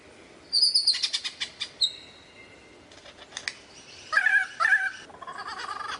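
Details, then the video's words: Varied lyrebird song: high thin whistles with rapid clicking, a pause with scattered ticks, then two loud, warbling chatter bursts and a buzzy ending. "suara variasi burung lyrebird"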